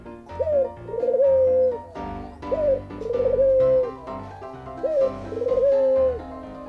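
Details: A Russian white dove kept by a magician gives its everyday call: repeated cooing phrases, a short rising note then a longer level coo, about every two seconds, over soft background music.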